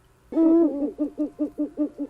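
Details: Owl hooting, called ulular: one long steady hoot followed by a run of seven short, evenly spaced, slightly wavering low hoots, about five per second.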